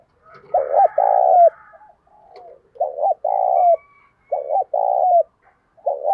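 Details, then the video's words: Decoy spotted dove cooing to stir up and lure wild doves: each phrase a short stuttered note then a long throbbing, rolling coo, repeated about every one and a half seconds, with faint higher bird chirps behind. "Chim Cu Mồi Gáy Thúc Sung Hay Nhất Hiện Nay, Kích Bổi Nhanh Nổi Và Căng Lửa"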